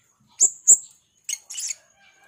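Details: Blue-crowned hanging parrot, described as a vocal red-spotted serindit. Two shrill, very high chirps come in quick succession, followed by two harsher, noisier bursts, the second one longer. Faint background hum throughout.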